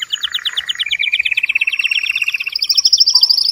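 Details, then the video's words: Strong, excited song of a male canary meant to stimulate breeding. Dense, rapid rolling trills repeat several times a second and climb gradually in pitch, with bright overlapping whistled layers. "تغريد هائج قوي لذكر كناري من أجل تحفيز أنثى وذكر الكناري على التزاوج"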